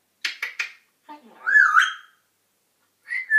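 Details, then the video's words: African grey parrot talking and whistling: three quick clicky syllables, then a rising and falling whistled phrase with voice-like tones, and a final short whistle after a pause. "African grey parrot talking and whistling"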